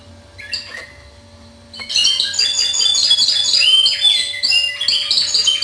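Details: Timbrado canary in discontinuous song: a few quiet notes, then from the second second a continuous loud run of rattling trills and metallic chops, with a constant low hum.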